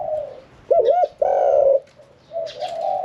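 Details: Caged Spotted Dove, kept in a cage for 1 year 4 months, with a medium-pitched voice, cooing in the 'khan yon 1 kuk' style. A low wavering coo leads into a loud rolling double coo and a long full note, then softer cooing.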